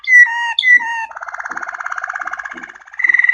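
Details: Waterslager canary singing short whistled notes, then a fast, liquid, pulsing roll that sounds like bubbling water and ends on a higher repeated trill.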